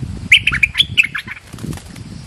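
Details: Bulbul lure call used to attract birds: a quick burst of chattering, squeaky notes in the first second, then fading scratchy sounds over soft low rustling background noise.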